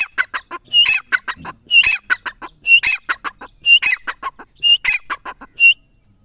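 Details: Grey francolin calling loudly: a harsh, rhythmic phrase of sharp grating notes, each starting with a clear higher note and then several rasping syllables, repeated about once a second for six phrases.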